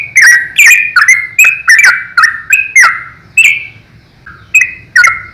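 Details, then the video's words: Yellow-vented bulbul singing rapid 'ropel' phrases as a master for young bulbuls: a quick string of rich, warbling whistles with clicks, then a brief quieter pause before more notes resume; low hum underneath. "PANGGILAN BURUNG TRUCUKAN ROPEL GACOR||COCOK UNTUK MASTERAN BURUNG TRUCUKAN MUDA"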